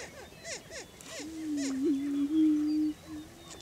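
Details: Lek in Washington County, Kansas, where greater prairie chickens display for breeding territory: a few soft falling cackles lead into a loud, steady low moaning tone held nearly two seconds, then fading.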